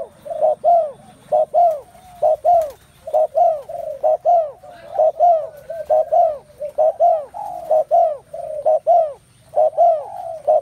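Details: Spotted doves calling in great numbers, with loud, rounded, hooting coos that follow one another steadily, about one a second, in short arched pulses for more than ten seconds.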